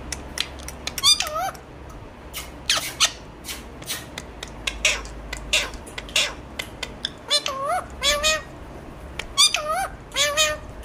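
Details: Alexandrine parakeet talking at length: many clipped, squeaky utterances and clicks, with several looping, wavy syllables that rise then fall, repeated in irregular bursts over a low hum.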